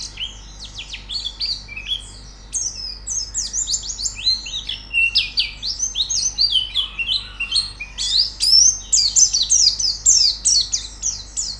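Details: White-eye song used as training audio to get a bird singing: a fast, busy stream of high, thin descending whistles and chirps, bursts packed closely together, growing louder and denser toward the end.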